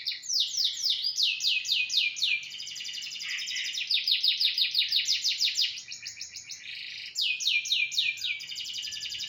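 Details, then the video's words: Master song of a canary for training other birds: long, loud, high trills of rapidly repeated sharp notes, several distinct rolling phrases changing speed and pitch, with short pauses between bursts. "Masteran Burung Kenari"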